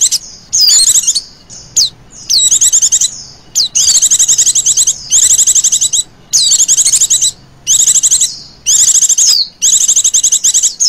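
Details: A female Oriental white-eye gives a trilling lure call to attract birds. An almost unbroken sequence of about eight rapid, shrill trill bursts runs throughout, with short gaps between them.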